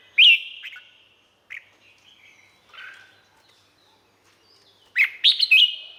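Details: Red-whiskered bulbul in Thailand: scattered soft, short whistled notes, then one loud, bubbling phrase near the end; sound for training or exciting cage birds.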